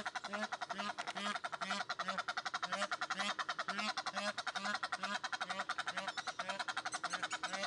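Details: Egyptian geese at Upie zoo, Drôme, France, calling continuously: a fast, rasping, chattering stream of harsh notes over a regular low honk beating about twice per second throughout.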